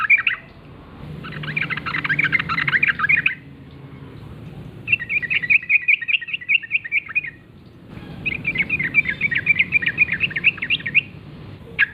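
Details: Sooty-headed bulbul in the wild, singing the typical gacor ngalas forest song in the morning. Four lively phrases of rapid, warbling chatter come with quiet gaps between them, and a sharp note closes the clip.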